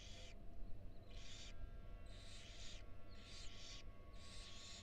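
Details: At a University of Florida nest box, a female barn owl steps briefly aside from four tiny nestlings. Harsh broad hissing bursts, each about half a second long, come in quick succession over a constant low hum.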